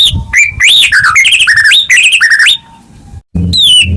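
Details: Energetic White-rumped shama song, played to stimulate caged birds that stopped singing. It is a dense run of bright rising and falling whistles and quick slurred notes, breaking off into near silence before a final high phrase.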